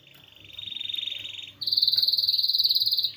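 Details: Canary song played as a master recording for songbirds: a rattling trill, fainter at first, switches to a louder, higher, very even rapid trill.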